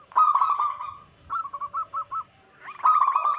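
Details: Local wild zebra doves, a recording used to lure wild doves and prompt others to sing. A loud rolling coo opens, then six short clipped notes at an even pace and another loud burst of overlapping cooing.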